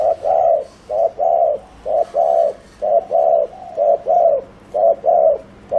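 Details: Fast bowing coo of a decoy spotted dove kept to lure wild birds: loud, mellow two-part coos, a short note then a longer one, repeated about once a second with clean pauses.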